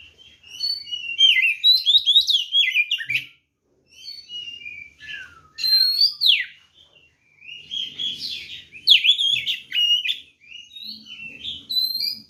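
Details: Provoking fighting song of a white-rumped shama: long busy runs of loud mixed whistles, trills and harsh chattering notes in several bursts separated by short silences, faint low background sound.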